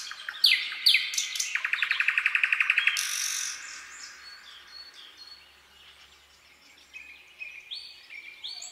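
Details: Common nightingale at night in a forest, giving sharp whistled notes, then a fast, loud, machine-gun trill of repeated clicks, a harsh buzzy burst, and softer high whistles trailing off.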